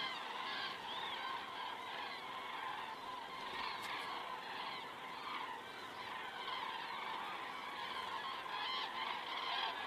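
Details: Estonian crane cam, evening of 19 September 2017 at 19:10: common cranes flying over, giving a long, unbroken chorus of overlapping rolling trumpet calls, with a couple of faint clicks partway through.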